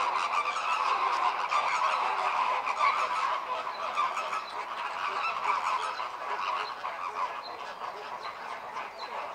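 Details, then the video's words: American flamingos in communal courtship display, aimed at getting the colony to start breeding at the same time; busy chorus of goose-like honks, roughly three per second, fading slightly toward the end. "Gruppenbalz der Kubaflamingos"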